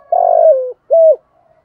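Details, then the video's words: Spotted dove cooing in the morning, used as a decoy to lure wild doves into calling back: a low, long purring coo that slides down, then a short, clear coo after a brief pause. "tiếng chim cu gáy kích bổi buổi sáng"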